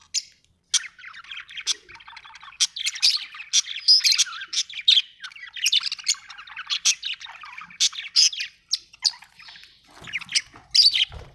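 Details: Happy budgerigar chirping, Australian bird: steady rapid chatter of clicks, squeaks and warbled notes, with louder sharp peaks repeating through the stretch.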